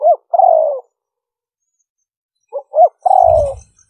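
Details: Spotted dove in 'liêu ròng' lure calling: twice a brief double note followed by a drawn-out, gently falling coo, with a soft low thump under the second coo.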